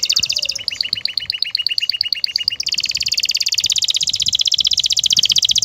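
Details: Male canary in breeding condition calls a female to mate. The song is made of rapid high rolling trills, with a slower section of paired chirping notes in the middle, then an even faster rolling trill to the end.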